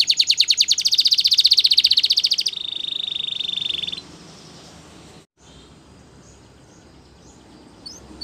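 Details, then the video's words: Belgian canary song used in training: a fast, even, buzzy trill followed by a steadier lower rattle, then the singing stops, leaving quiet background hiss with faint distant chirps. "Beautiful Singing From The Belgian Canary!!"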